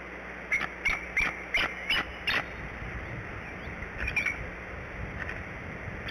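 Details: Adult female Bald Eagle on eggs at the Decorah nest, calling in early morning for her mate to relieve her for the shift change: six high, sharp piping notes evenly spaced about a third of a second apart, then a short burst more.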